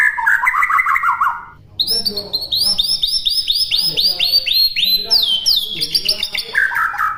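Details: White-rumped shama song recorded as a training master for other songbirds to copy: warbled phrases open, then a fast series of about a dozen bright, clear repeated whistled notes sliding down slightly, ending in lower rich warbling.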